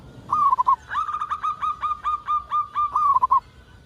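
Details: Single extended phrase from a local zebra dove used to prompt other zebra doves to call: a brief opening stutter, then about eleven crisp, evenly spaced cooing notes in quick succession.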